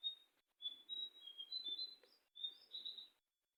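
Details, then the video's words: Sooty-headed bulbul singing in the wild. Soft, high, thin whistled notes come in two short, slightly wavering phrases with a brief gap between them, in an otherwise quiet setting. "suara asli burung jongkangan di alam liar"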